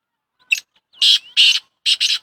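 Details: A Shedi Sindhi black francolin (kala tetar) calls loudly and harshly: a short buzzy opener, then two long coarse rasping notes joined by a thin rising squeak, finishing with a quick doubled grating note.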